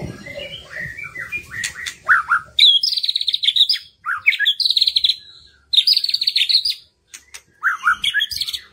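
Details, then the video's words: Lure song of a white-rumped shama for prompting quiet birds to sing their full repertoire: varied whistled phrases alternating with long, fast, buzzy trills, delivered in bursts separated by short silences. "PANCINGAN MURAI BATU MERANGSANG BURUNG YANG SUSAH BUNYI LANGSUNG IKUT BONGKAR ISIAN"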